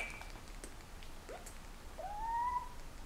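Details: Pet Senegal parrot in breeding season, wooing its owner's hand, gives a brief falling chirp and then a smooth rising whistle lasting about half a second, against faint room noise.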